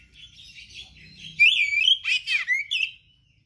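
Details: Oriental magpie-robin, a songbird singing gacor style with rare mimicked material: soft scratchy twitter building into loud, rising and falling whistles and a burst of harsh chatter, with a low background hum at the start.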